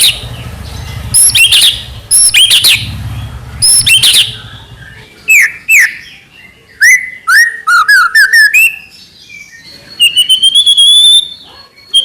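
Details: Lively white-rumped shama song used as a lure to provoke other shamas into singing: loud whistled phrases, slurred rising and falling notes, rapid chattering bursts and a final steady whistled trill, with a low hum early on.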